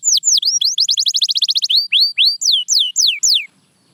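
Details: Clear canary song of loud falling whistles, a fast run of repeated notes, then slower rising and dropping sweeps before stopping abruptly into silence.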